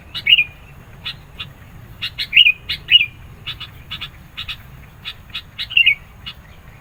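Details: Sooty-headed bulbul singing hard to lure birds and provoke rivals: bubbly warbled notes repeat several times, mixed with quick clipped chirps in twos and threes, over a faint low background hum.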